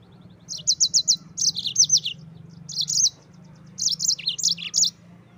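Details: Yellow-fronted canary singing in the lively 'gacor ngerol' style, used as a tutor song for training Oriental white-eyes: three bursts of bright, quick repeated chirps, each phrase about a second long, separated by short pauses, over a faint low hum.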